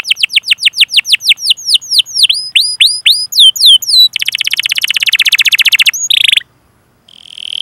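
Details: Canary, singing in a recording intended to stimulate other canaries, delivers repeated falling whistles that turn into hooked two-part notes, then a long fast buzzy roll, a short harsh trill and a faint high tone.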